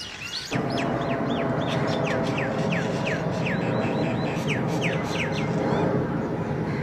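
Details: Wild Nias hill myna gives rapid clear whistles that slide downward, about three per second, over a steady rushing background noise.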